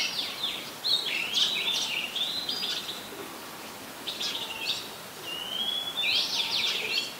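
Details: A very common resident Oriental magpie-robin sings in Ubon Ratchathani, Thailand: a burst of sharp, scratchy whistled notes, a short pause, then long sweet whistles and trills near the end, with steady faint background noise.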